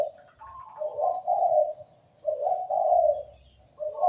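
Zebra dove singing soft, rolling, low coos in three roughly one-second phrases, with faint thin chirps higher up in the background.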